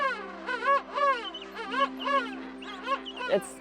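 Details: A king penguin colony on an Antarctic voyage in November, with males, females and whistling chicks all vocalizing; each bird's call is individually distinct. Loud, rich trumpeting notes swoop up and down in pitch and overlap almost continuously.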